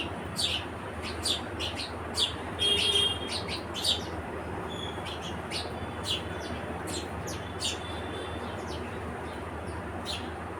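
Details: Busy stream of short, high chirps from house sparrows, many in quick succession. A brief level whistle sounds early on, and a faint low drone of traffic continues throughout.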